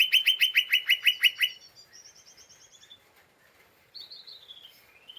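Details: Agitated lesser green leafbird chattering, a ngeriwik call meant to provoke other birds. A fast run of about ten rasping notes opens, then a thin, high, even trill, and later short whistled upslurs with quieter twittering.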